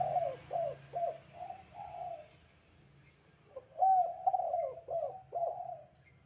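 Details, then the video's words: Spotted dove in full 'kuk 2' calling, suited as a tutor recording for doves: two phrases of quick hollow coos, each note dropping in pitch, separated by a quiet gap, over a steady low hum. "suara panggilan tekukur kuk 2 gacor"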